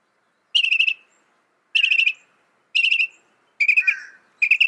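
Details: Loud, quick Northern mockingbird phrases: short bursts of rapidly repeated notes about once a second, one burst sliding into a lower harsh note, in a silent background.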